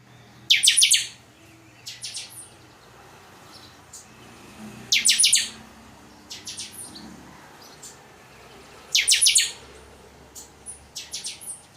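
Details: Chopi blackbird (chanchão) singing the totonsidonso song style: three loud, bright, buzzy bursts of rapid high notes about every four seconds, with softer chirps in between and a quiet background.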